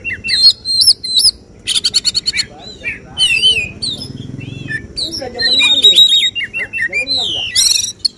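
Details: Kacer, the Oriental magpie-robin, performing 'tembakan' shooting song targeted by judges at a bird singing contest: fast stuttering notes, rattling buzzy bursts and wavering whistles, with faint voices murmuring underneath.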